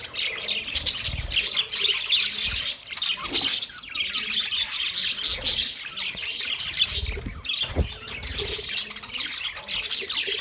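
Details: Budgie colony of about 30 pairs, dense high chatter of chirps and squeaks throughout, with a few soft low thumps underneath.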